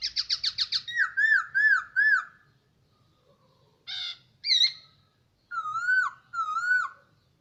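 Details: Hwamei kept in captivity for a year: a rapid string of about seven sharp repeated notes leads into looping whistled phrases, two harsh calls, then two matching swooping whistles near the end.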